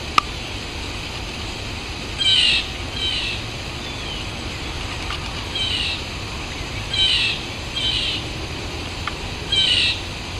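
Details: Blue jay in the wild gives short, harsh, mid-high calls, mostly in pairs, repeated every two seconds or so over a steady background hiss.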